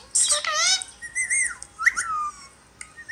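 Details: A rescued pet Indian ringneck parakeet talking gives a harsh, harmonic squawk, then a few clear whistled, rising and falling notes over about three seconds, like mimicked speech.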